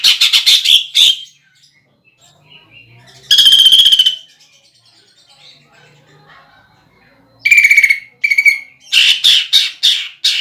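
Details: Greater green leafbird lure song, with mimicry of woodpecker, kingfisher and fighting sparrows. Loud rough staccato bursts and rattling phrases are separated by quieter gaps holding faint twitters. The bursts quicken into rapid repeated notes near the end.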